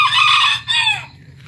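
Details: Crow of an aggressive, frequently crowing Serama bantam rooster: a loud harsh note, a brief break, then a second falling strained note that trails away, with a faint low hum underneath.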